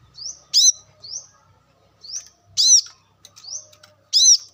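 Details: Wild brown-throated sunbird sound used as a lure: loud arched high chirps repeated roughly every one and a half seconds, each preceded by a thin rising slurred whistle.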